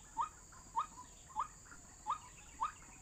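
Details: White-breasted waterhen call played back as a trapping lure: short rising whistled notes repeated about every 0.6 seconds, five notes in all, over a steady high-pitched hiss.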